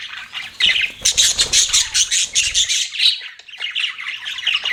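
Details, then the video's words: Budgerigar chirping: fast, pulsing high twitters and buzzy warbles run almost without break, several pet birds calling together with a faint fluttering sound early on. "BUDGIES CHIRPING SOUND"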